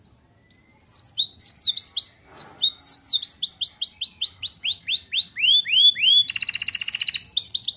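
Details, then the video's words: A canary sings white-eye (pleci) material used to stir up birds' emotion. Its slurred whistles fall sharply and repeat about four per second, ending in a very rapid metallic rattling trill, then more falling notes. "Burung kenari bocor materi pleci untuk menaikan emosi"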